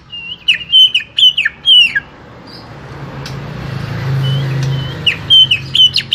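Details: Greater green leafbird, a small-bodied caged bird, singing: clear whistled notes swooping down and up in quick runs, repeated in bursts with a pause in the middle, over a low hum of background noise.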